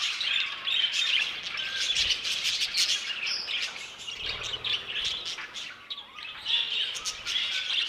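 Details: Budgerigars in an aviary: crowded, overlapping twitters and sharp chirps pulsing in loose bursts, with faint low bumps in the background.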